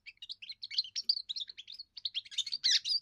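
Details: First song of a young European goldfinch, used to warn other birds off its area and attract females; a fast, unbroken jumble of tinkling chirps and buzzy trills, briefly pausing near the two-second mark.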